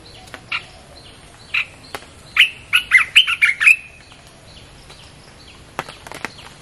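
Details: Played as a lure for wild birds, a red-whiskered bulbul gives scattered soft notes, then a quick run of loud, cheery warbled chirps in the middle before falling quiet again.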